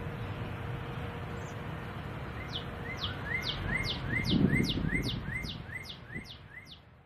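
A Northern Cardinal sings a quick run of about a dozen clear, downslurred whistles, roughly three a second, over steady low background rumble.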